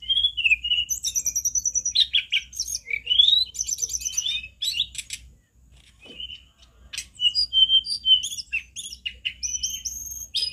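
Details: Loud tledekan gunung song: quick whistled slurs and buzzy chattering bursts for about five seconds, a short quiet gap, then more sweet whistled notes and sharp rising strokes.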